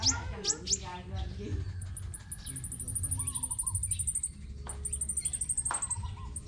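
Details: Crimson sunbird singing in competition, Tân Phú, Đồng Nai province, Vietnam: a long, very high, even ticking trill held for several seconds after a few steep high sweeps, with low rumble and mixed background sounds.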